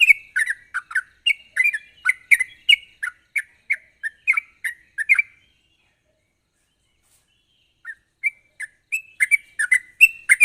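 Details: A sooty-headed bulbul delivers a sharp, fast lure song: a quick string of gurgling, slurred whistles lasting about five seconds, a pause of nearly three seconds, then another burst of the same lively notes.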